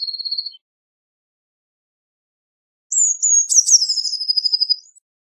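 Eurasian blue tit: a thin high note, a pause, then two or three high drawn-out whistles running into a fast, trilling rattle.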